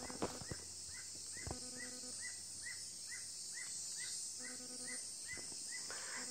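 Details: At Fortuna Forest Reserve in Chiriquí, Panama, a toucan gives a steady series of short, arched croaking notes, about three per second, over a constant high hiss of insects.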